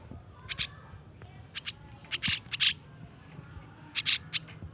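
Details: Starling nestlings from a recently taken nest, hand-fed daily. Harsh, hissing rasps come in short bursts of two or three, with pauses between the groups. Faint low background noise is present.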